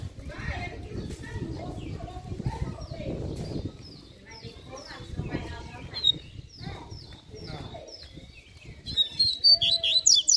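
A double-collared seedeater sings a fast run of high, sweet downslurred notes, about two each second, ending in a busier twittering burst, with men talking quietly.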